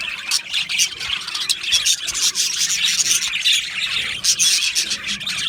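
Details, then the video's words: Australian budgies in an aviary colony, a dense, continuous chatter of high chirps and scratchy warbling notes overlapping without pause throughout. "Budgie Chirping Sounds"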